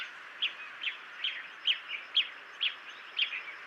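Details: Jungle bush quail calling: a run of about eight short, sharp, chirping whistled notes, each quickly falling, repeated roughly every half second against a steady background hiss.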